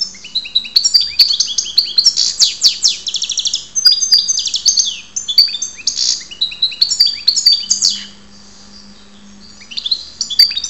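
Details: European goldfinch (karderina) recorded in Ptolemaida, Greece, singing rapid tinkling twittering phrases with buzzy trills and liquid chirps, high-pitched and continuous, pausing briefly near the end before resuming; a faint low hum underneath.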